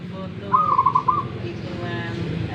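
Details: Local wild zebra dove from Tuban, East Java, in a dueling bout: a single loud phrase of quick stuttered cooing pulses, followed by quieter background hum.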